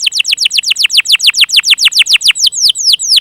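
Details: Canary song for stimulating young and stalled canaries: a steady rapid series of descending whistled sweeps, about six per second, slowing slightly near the end, with no background noise.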